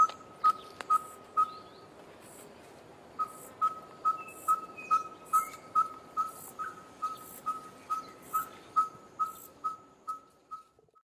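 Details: Monotonous call of a red-fronted tinkerbird on a hot midsummer day: a few whistled pips, a pause of over a second, then a long steady series of the same single-pitched notes, with other birds chirping and trilling in the background.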